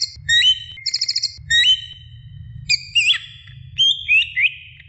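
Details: A female greater green leafbird calling for the male gives sharp upslurred whistles alternating with a short rapid trill, then longer level whistles with quick flicks, spaced by brief pauses.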